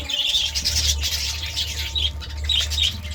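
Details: In the morning a budgerigar keeps up lively, scratchy warbling and quick chirps without pause, a few clearer whistled notes toward the end, a low hum beneath.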